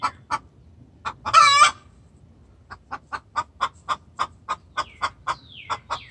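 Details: Extremely vocal hen calling the rooster in distress: brief clucks, a loud harmonic squawk lasting half a second, then a long even series of short clucks, with thin descending chirps near the end.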